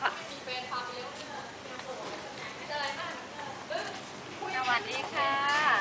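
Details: A common hill myna, receptionist bird at a Hua Hin house in Thailand, talks in a clear human-like voice, repeating "hello", "how are you", "sawadika" and "I'm fine, thank you" with rising, whistled inflections.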